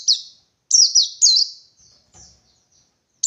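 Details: White-eye from the forest searching for a rival: a lone high buzzy note, then a fast run of three downslurred trills, a soft pause, and another note starting at the end.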